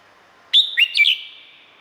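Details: Red-whiskered bulbul from Thailand, kept as a cage bird, gives a single short whistled phrase of bright slurred notes that rise and fall, followed by a lingering ringing tail in an otherwise quiet setting.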